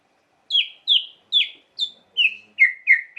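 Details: White-rumped shama song to provoke emotion: eight sharp, downslurred whistled notes repeated at a steady pace of roughly two per second, gradually lowering in pitch.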